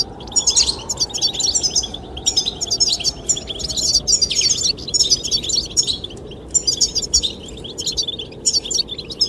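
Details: Goldfinches singing to attract the female: rapid, tinkling, high twitters in dense bursts, with brief gaps, over steady low wind noise.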